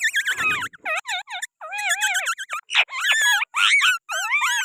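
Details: Green parrot from Pakistan, sitting on its keeper's hand, chatters nonstop in a rapid run of warbling, up-and-down whistled notes and rasping squawks, about two phrases per second, loud and close.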